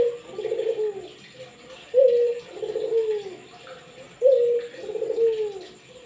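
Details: Two-part cooing from an active Barbary dove, meant to stir quiet doves into calling: a bright level note dropping into a throaty, falling roll, three phrases roughly every two seconds.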